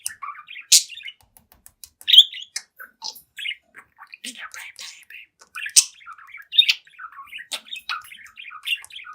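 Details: Seven-month-old budgie talking and singing to its reflection: soft mumbled chatter broken by loud high squeaks and chirps, with quiet ticking between phrases.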